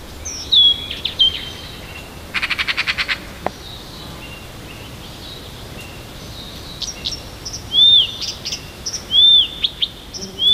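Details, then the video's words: Siberian songbird singing on a morning near Tomsk, its song made of many varied verses: high whistled notes and arching slurs, with a fast dry rattling trill of evenly spaced clicks in the middle and a soft background hiss. "Послушайте как поёт сибирская птичка!"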